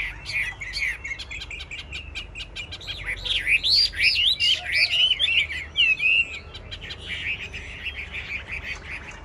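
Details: Captive Chinese hwamei contest song, opening with quick chips, swelling into loud, deeply swooping whistled figures around the middle, then trailing off into softer, rapid chatter against a low murmur.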